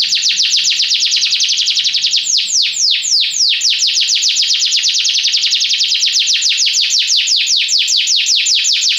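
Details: Long unbroken Belgian canary song: high trills of sliding notes that speed up, slow briefly, then race on again.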